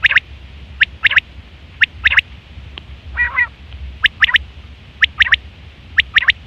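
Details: Quail recorded in September 2023, giving the call used for hunting and mating: clipped triple notes about every second, with one harsher rasping note midway, over a faint low hum.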